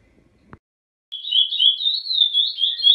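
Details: Chestnut-bellied seed finch singing the classic 'Praia Grande' song type: a sweet, flowing whistled song of fast high warbled phrases, running without pause after a single soft click.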